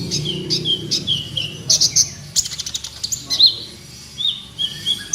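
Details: Ninja sunbird (kolibri ninja) song used as a lure for captive birds that are lazy to sing: high, thin chirps and short whistled notes in irregular bursts, with brief sharp clicks and a soft low murmur beneath.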